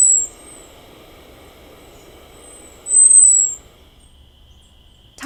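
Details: American Robin hi-z alarm calls, given when a predator threatens: two very high, thin, drawn-out seee notes about three seconds apart, each fading in and out, over a faint low hum.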